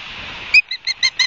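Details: Osprey at the nest on a live nest camera at Barnegat Light, New Jersey, 31 August 2022 at 12:30. Five short, sharp, chirped notes come in quick succession, about one every fifth of a second, after a soft low rumble.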